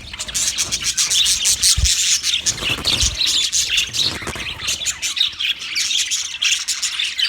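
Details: Budgies calling steadily, a busy mix of harsh squawks, scratchy chirps and rapid warbling, with a couple of low thumps.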